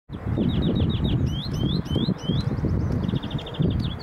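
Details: Common redshank at Valkenburgse meer, the Netherlands, 11 April 2017, gives quick runs of clear piping notes, then several longer rising, slurred whistles, then fast piping again, over a heavy low wind rumble.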